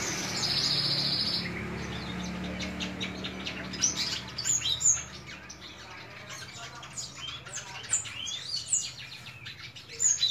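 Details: White-shouldered starling song: an opening buzzy trill, then a long, irregular stream of varied high chirps, squeaks and short whistles, with a low background hum.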